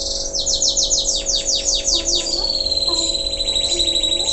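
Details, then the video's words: Local canary singing after its moult: a run of fast descending swept notes, then a high sustained rolling trill, with a steady low hum beneath. "Kenari lokal selepas mabung,,Masih Aja Gacorr"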